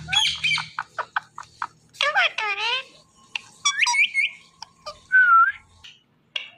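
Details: Pet talking parrot mixing speech-like syllables with squawks and chirps: a quick series of short notes, a run of descending harmonic squawks, sharp rising whistles, and a drawn-out nasal squawk near the end.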